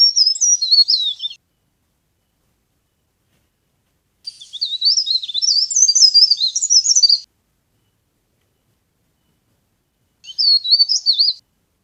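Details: Leaf warbler in full voice, played as a lure for trapping: three bursts of thin, high twittering notes that rapidly rise and fall, the longest about three seconds, separated by silent gaps.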